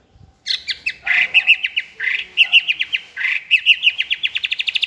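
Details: Caged young White-rumped shama, a varied multi-voiced singer, performing giong day style song on a table: a fast chattering series of clipped, repeated notes that speeds up toward the end.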